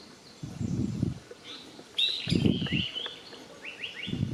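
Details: Japanese paradise flycatcher at Yotsuike Park in Hamamatsu, Japan: a slurred series of descending whistled notes, followed by short rising chirps, with low thumping handling noise between the calls.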